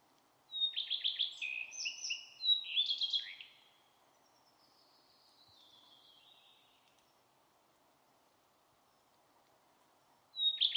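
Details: Common redstart giving two short, bright song phrases of quick sliding notes and stuttered twitters, then a thin, faint drawn-out note. A long quiet gap follows before another phrase begins.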